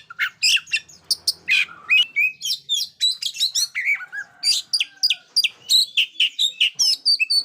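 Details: Oriental magpie-robin in full, loud song, used as a model to get silent young birds singing: a dense, fast run of sharp whistles, chirps and rapid high trills, notes tumbling without pause over a quiet background.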